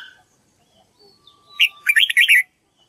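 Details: Red-whiskered bulbul rehearsing song for young birds to copy: one cheerful, lilting phrase of four or five looping whistled notes, preceded by faint thin whistles from other birds.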